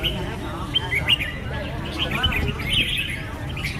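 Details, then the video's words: Red-whiskered bulbul giving clear, sharp whistled notes and short chirpy phrases, some sliding downward, spaced irregularly over a low background hum with other faint chirps. "Red-whiskered bulbul (Pycnonotus jocosus) Chants"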